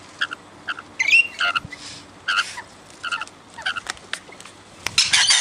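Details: Wild rainbow lorikeets visiting regularly for raw sugar make short repeated raspy squawks about twice a second, ending in a louder continuous screech.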